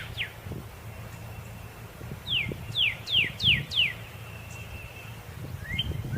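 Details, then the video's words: Red cardinal delivering a short burst of five clear downward-sliding whistles in the middle of the recording, with soft knocks, a thin faint tone and quiet surroundings before and after. "suara burung Red Cardinal"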